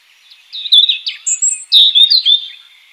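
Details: European robin in the wild delivering a sweet, fluid song phrase: high silvery whistles, quick twittering runs and a very high thin note in the middle, in a clean, quiet setting.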